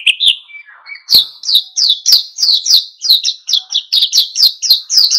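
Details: Energetic wild-style 'ngalas' song of an oriental white-eye, meant to stir other birds to sing along: after a few opening chips and a short thin whistle, a quick steady stream of sharp high chirps repeats several times a second.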